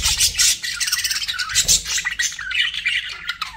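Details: Chattering pet budgerigars, a continuous run of buzzy, warbling chirps and raspy squawks at high pitch, fast and irregular, some notes sliding downward near the end.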